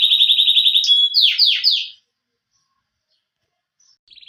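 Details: Canary giving a short burst of song: a fast, even, high trill followed by three quick downward-swooping notes. Silence follows, then a faint trill starts again at the end.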